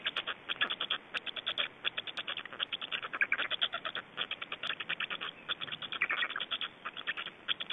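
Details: Black storks, Estonia, feeding time on 25 May 2012: persistent rapid rasping pulses in closely packed groups, a slightly fuller wheezy patch appearing toward the end.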